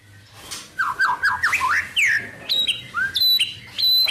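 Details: White-rumped shama singing varied wild-bird-style phrases: soft chattering notes and squeaks, then clear high whistled notes at varying pitches, somewhat quieter than the background.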